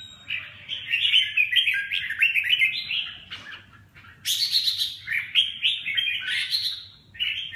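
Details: Red-whiskered bulbul song: rapid chattering phrases of warbled, slurred notes in the mid-high register, delivered in bursts separated by short pauses, with a brighter, higher outburst midway; otherwise quiet background.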